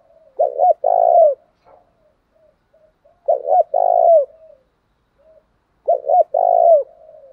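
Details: Spotted dove cooing, used as a lure to provoke rival doves into fighting: three phrases, each of quick short notes running into a longer, drawn-out falling coo, repeated about every two and a half seconds over silence.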